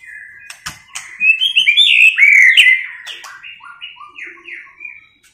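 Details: Female-voice 'tạch líu' calling of a white-rumped shama, meant to fire males up for fighting: a run of loud, rich warbled whistles followed by a descending series of short clear slurred notes, with faint clicks.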